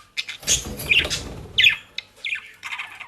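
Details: Pet budgerigars in South Holland, Netherlands, with dry leaves and grass from a bird shop; scattered shrill squawks and short chirps separated by brief pauses, with low rumbling in the first half.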